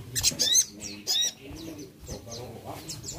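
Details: Crested jay, locally called sogon, calling to stir a quiet bird into singing: high, thin chirps and short descending whistles in rapid bursts over the first second and again near 1.2 seconds, with low background rumble.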